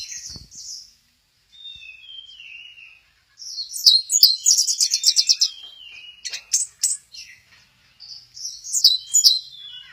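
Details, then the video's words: Orange-headed thrush singing at Kesamben while swaying ('goyang inul'). Soft high notes and a gliding whistle build into a dense, scratchy chatter of rapid repeated squeaks, ending in bright clipped whistles. "Burung Anis merah, lagi goyang inul"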